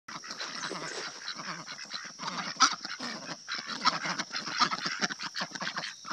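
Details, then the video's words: Pet ducks at morning treat time, described as happy, give a busy run of short, raspy calls with no clear rhythm. A steady high whine runs throughout. "More Morning Treats for our pet duckies - happy happy sights & sounds"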